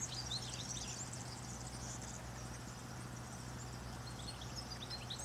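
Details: Morning song of a European goldfinch, recorded around eleven, the bird repeating one phrase: fast, bright twitters and short high chirps run across the clip, with a constant low-pitched hum underneath.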